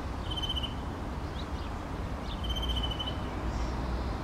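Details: European greenfinch perched on a fence in Helsinki, Finland, in June 2013, giving two drawn-out nasal tones, one early and one near the middle, each about half a second long, with faint short notes between them over a steady low rumble of background noise.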